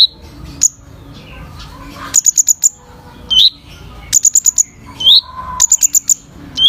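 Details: Kolibri ninja sunbird in full song for bird training: clusters of fast, very high ticks followed by sharp rising whistled slurs, repeated several times over nearly seven seconds.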